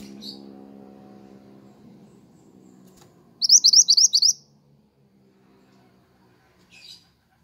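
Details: Pied triller singing vigorously, recorded for bird trapping and training pet songbirds: one rapid burst of about seven upslurred high whistles, with faint single chirps before and after and a low hum.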